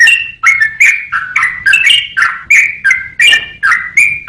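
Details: A yellow-vented bulbul pours out rapid chirping, liquid whistles with a slightly rough edge, notes tumbling up and down about three per second, in a recording meant for songbird training.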